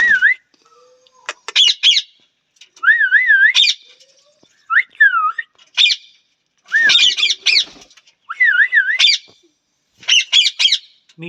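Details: Loud undulating parrot whistles alternate with short bursts of grating squawks, in phrases separated by brief pauses over about eleven seconds.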